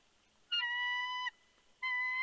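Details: At the Big Bear nest on 3 February 2020 around 4:17 PM, a bald eagle with a fish gives long, level, flute-like whistled notes, one lasting nearly a second and another starting near the end.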